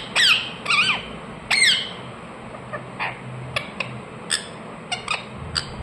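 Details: Ring-necked parakeet, a household pet: three strong, harsh, descending squawks open the passage. A scatter of faint, brief clicks and ticks follows.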